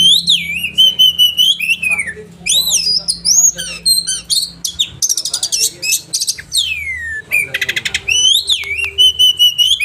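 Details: Caged-bird training song of an oriental magpie-robin, sharp 'roll tembakan' delivery: loud looping whistles sweeping up and down, interspersed with rapid stuttering trills and harsh buzzy bursts, nearly continuous.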